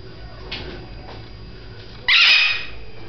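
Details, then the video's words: Female red-fronted macaw during flight training, stubbornly not coming when called, gives one loud, harsh, rasping squawk that breaks in suddenly and holds about a second, after a person's coaxing voice. "Just making noise=Red Fronted Macaw"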